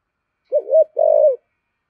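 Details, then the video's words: Spotted dove used as a decoy bird, singing in the 'giọng thổ' voice style: one low, mellow two-part coo, a short wavering note followed by a longer, steady, slightly falling one, in silence. "Chim Cu Mồi/ cu gáy giọng thổ thúc gù"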